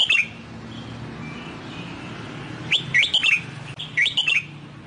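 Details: Newly bought wild-caught red-whiskered bulbul in training for the Sông Kon song style. After a quiet stretch it gives two short phrases of clear, fluty notes that dip and rise, with a steady low hum behind.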